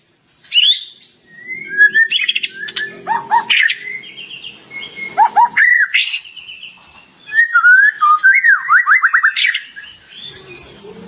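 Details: White-rumped shama in full, vigorous song packed with rich borrowed phrases: varied clear whistles, slurred rising and falling notes, and quick trilled runs of separate bursts, with short gaps between phrases.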